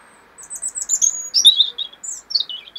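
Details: European robin singing in 2016: a clear, high phrase of thin whistled notes and quick trills that slide up and down, bright and varied, in a quiet setting.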